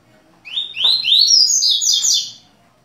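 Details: Double-collared seedeater singing indoors in Rio de Janeiro, Brazil, in the tui-tui parelha song style: a quick run of bright upslurred whistled notes that climb in pitch, then a dense, high twittering flourish, all within under three seconds.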